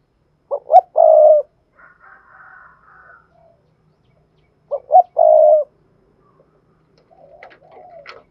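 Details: Spotted dove in strong urging coo, meant to excite decoy birds: a three-part phrase of two brief hoots and a drawn coo, repeated after about four seconds, with faint softer twittering between and near the end.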